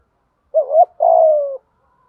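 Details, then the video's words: A single 'thúc gù' phrase from a decoy spotted dove kept to train birds that will not coo: a wavering rising note, a short gap, then a steady hoarse coo sliding slightly downward. "Tiếng THÚC GÙ chim cu gáy mồi bài bản dùng tập chim bổi hay lâu năm không chịu gáy"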